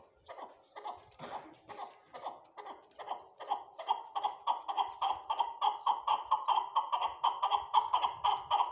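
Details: Farm-kept chukar partridges calling: rapid chuckling notes, about four per second, building from a ragged start into a steady, louder run of clipped mid-pitched chuk syllables.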